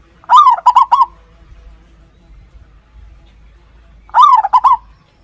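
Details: A zebra dove brooding its chicks, on the second day after they were found, gives two bursts of rapid, stuttering cooing song about four seconds apart. Each burst is a run of soft rolling notes over faint background hum.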